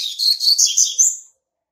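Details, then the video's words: Territorial song of a young brown-plumaged male Double-collared Seedeater hatched March 2019: a rapid run of high, slurred, chattering whistles lasting just over a second, climbing slightly at the end, then silence. "COLEIRO PARDO QUERENDO JÁ MARCAR SEU TERRITÓRIO"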